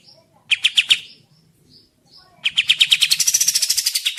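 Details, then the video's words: Olive-winged bulbul song for tutoring cage birds: a short burst of four sharp chirps, a pause with faint high squeaks, then a long, rapid, accelerating run of bright chirping notes. "Masteran Burung Kapas Tembak Jeda"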